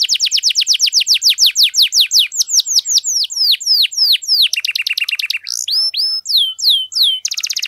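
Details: Canary 'gacor' song meant to set silent canaries singing: a rapid run of sharp downslurred whistles, a lower trill, ringing sweeps and a short fast buzzy roll at the close.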